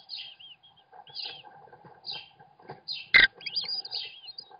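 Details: American kestrel nest webcam as the father feeds his young: high, thin, squealing chirps about once a second, turning into quick wavering trills near the end, with one loud knock and a low background hum.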